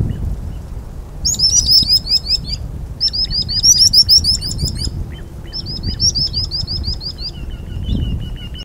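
Common sandpiper giving quick runs of thin, high, piping notes in three bursts, ending on a steadier high whistle, over a low background rumble.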